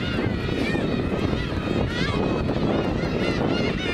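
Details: Black-tailed gulls at Kabushima on New Year's Day 2015, in winter, the largest number seen there in winter; many overlapping nasal, wavering mewing calls rise and fall continuously over a steady roar of wind or surf.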